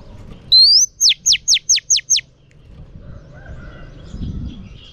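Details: Singing female oriental magpie-robin, used to stimulate males: one clear upward-sweeping whistle, then six fast, evenly spaced, steeply falling notes, followed by soft background noise and a faint distant whistle.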